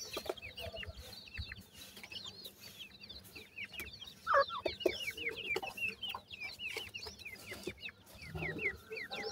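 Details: Francolin (teetar) chicks while feeding: many thin, down-slurred peeps repeated in quick overlapping series, with occasional louder chirps and soft background rustling.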